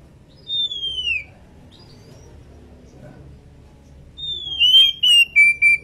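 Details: Female Oriental magpie-robin in breeding condition calling its companion: a long clear whistle sliding down, then after a pause a series of three or four pure whistled notes, falling then level, repeated in quick succession.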